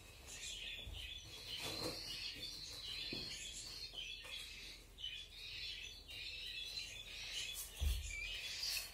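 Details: Cockatiel chicks during hand feeding: a steady, raspy, buzzing drone of begging, pulsing in short bursts over about nine seconds, with low thumps and handling noise underneath.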